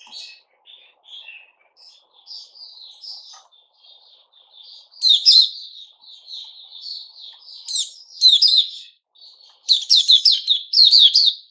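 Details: White-rumped shama (Puteh Raja) singing, recorded 29 August 2021. Quiet, varied high twitters and short whistled notes build into loud, buzzy, rapidly repeated bursts of rich warbling near the end.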